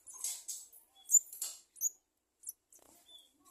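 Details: Young garden sunbird begging while its mother delivers food: a few loud, very high, hissy chirps and squeaks in quick clusters, then quieter scattered peeps with silence between.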